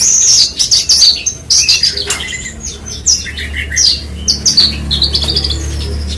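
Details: Bush lark (branjangan) giving clipped high chirps in irregular bursts, roughly one per second, mixed with short twittering runs; a low steady hum underneath.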